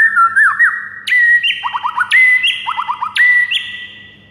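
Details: White-rumped shama (murai batu) singing in the morning, a masteran recording for training other birds: loud whistled phrases repeated roughly each second, each a pure whistle followed by a burst of fast descending trilled notes and high ticks.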